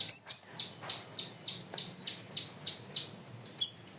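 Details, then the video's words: Cream-vented bulbul (cucak rawis) singing loudly in a masteran recording: a bright opening whistle, then a steady string of about nine short high chirps at even intervals, ending with one sharp ringing note. "MASTERAN BURUNG CUCAK RAWIS/BAYEMAN GACOR SUARA KERAS DAN JERNIH"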